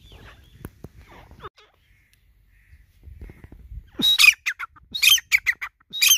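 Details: Grey francolin, a desi teetar: faint low rumbling for the first four seconds, then loud, harsh, high squawking calls in rapid bursts, roughly one per second, each sharp and grating.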